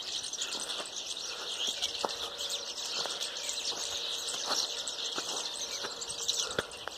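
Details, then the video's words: A large flock of mynas, hundreds of birds crowded on one tree, produces a steady wall of high-pitched chattering and squeaky chirps, with faint clicking taps scattered throughout. "Hundreds of myna's spotted on a tree"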